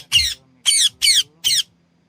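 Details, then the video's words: Green ringneck parrot at home repeating a short, harsh, squawking screech four times in quick rhythm, about two per second. "Green Ringneck parrot sounds"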